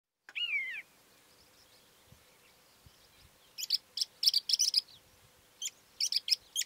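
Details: Calandra lark: one clear descending whistled slur near the start, then a pause, then a bright run of dense, scratchy high notes in quick bursts, a short gap, and more rapid chattering phrases.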